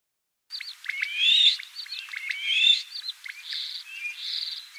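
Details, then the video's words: Common starling (Sturnus vulgaris) sings a rambling medley of sliding whistles, clicks and buzzy rattles, the phrases tumbling quickly one after another with no other sounds heard. "Обыкновенный скворец (Sturnus vulgaris) - голос"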